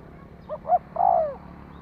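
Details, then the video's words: A single spotted dove phrase played to provoke a decoy bird: two short muffled coos, then one long, strong coo sliding downward in pitch. "Tiếng chim cu gáy thúc kích bổi nhanh nổi hiệu quả-Suara Burung Tekukur"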